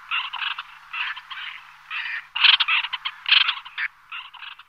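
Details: Small flock of white-winged terns (Chlidonias leucopterus) calling in flight: harsh, grating, rasping calls in short overlapping bursts, about one to two a second, from several birds at once.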